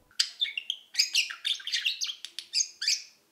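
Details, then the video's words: A pet budgerigar content with its surroundings warbles a rapid chatter of bright chirps, squeaks and short whistles, high and busy, with barely a pause across the phrase. "keyfi yerinde olma sesi"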